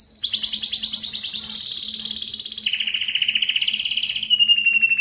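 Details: Canary singing for breeding, described as Belgian: long rolling trills sliding slowly downward, pitch steps between tours, ending on a thin sustained whistle, with a faint low steady hum underneath.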